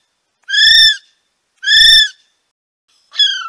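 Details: Kiwi giving long, loud, even-pitched shrill whistles, two sustained notes about a second apart, then a shorter note that drops in pitch; a faint low rumble sits under the longer notes.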